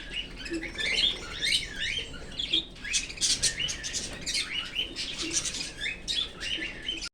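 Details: Pet Australian cockatiel at play with its owner's bangles: rapid, scratchy chirps and squeaky whistled notes repeat almost continuously, mixed with metallic clinking and rustles.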